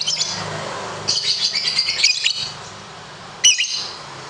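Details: Lovebird kept for song contests, on a training recording for long trilling: short bursts of high, scratchy chirping twittering, then a pause and a brief sharp chirp near the end.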